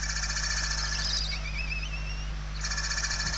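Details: Hungry barn owl chicks in an indoor nest in Spain, 28 November 2023: a rough continuous hiss broken by a faint wavering whistle-like tone, then resuming, above a strong steady low hum.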